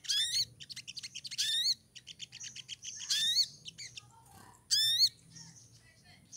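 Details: Female pied triller in heat calling to attract a male: bursts of high, strongly harmonic whistled notes, some sliding downward, given in quick runs and separated by short pauses, with fainter chips between them.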